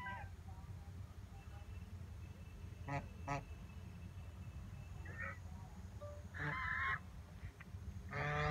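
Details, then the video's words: Ducks swimming in a pond at JP Palace, Agra, at 6 a.m. on a November morning (6 November 2018). A duck gives a few loud, nasal honks, brief and irregularly spaced, over a steady low rumble. "sweet sounds of duck"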